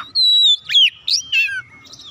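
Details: Clear white-rumped shama whistles used to coax other birds into song: a long steady high whistle, then a downward slur, a buzzy burst and a falling warbled note.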